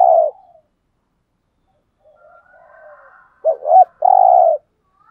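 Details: Spotted dove calling as a lure for wild doves: a fading hoot, soft quiet warbling coos, then a crisp phrase of two short bent coos and a long steady hoot.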